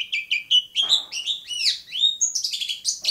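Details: Long-tailed shrike song from Bobotsari: a fast, continuous jumble of high whistles, slurred rising and falling notes and chattering phrases, varied throughout with barely a pause.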